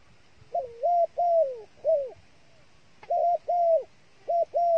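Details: Decoy dove used as bait calls in clean hollow coos, a short note followed by a longer drawn-out falling one, repeated in two bursts around a quiet pause.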